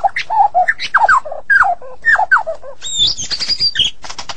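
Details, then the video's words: White-rumped shama from Medan in full 'gacor' song: rich mid-pitched warbled phrases with rasping notes, followed by a high squeaky trill and sharp clicks. "Murai Batu Medan Super Gacor Durasi Panjang"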